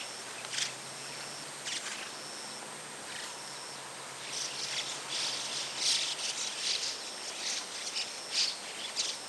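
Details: A flock of White-cheeked Starlings moving through trees in a wood on 21 August 2011 gives harsh, scratchy calls in irregular, overlapping bursts over a faint steady high insect-like hum.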